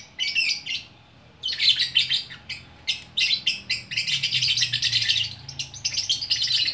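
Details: Gacor orkestra singing by a single lovebird, Bukittinggi, West Sumatra: a short burst of scratchy twitters, a one-second pause, then long continuous harsh chattering with dense high notes.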